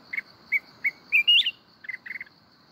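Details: Mountain red-whiskered bulbul giving kít bổi forest-voice song, Binh Thuan. Short clear chirps lead into a rising, bubbly whistled flourish, then a few rapid stuttered notes over a thin, steady insect hum.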